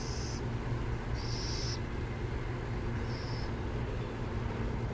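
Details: Burrowing owls near San Jose give three short, hoarse hissing bursts, each about half a second, spaced roughly every one and a half seconds over a steady low rumble of distant traffic.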